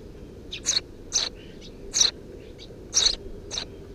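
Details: Eurasian tree sparrow chicks, three nestlings under the roof of a house, June 2017: a handful of loud, clipped chirps roughly every half second, with faint softer peeps between them and low background rumble.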